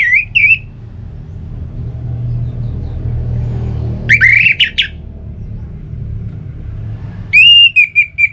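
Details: Orange-headed thrush song meant to stimulate kept songbirds: short bursts of bright whistled notes, one rising sweep, then a buzzy rapid cluster and a level repeated whistle, separated by gaps filled with low rumbling background noise.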